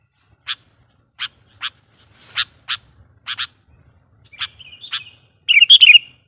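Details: Sooty-headed bulbul used as a lure bird, its song meant to agitate and call in wild bulbuls: spaced sharp chirps, then a short bubbly burst of rapid warbled notes at the end.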